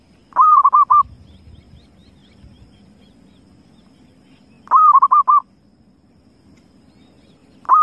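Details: A wild zebra dove gives a rapid phrase of about five soft, rolling coos, repeats it roughly four seconds later, and starts a third, over quiet low rumbling background noise.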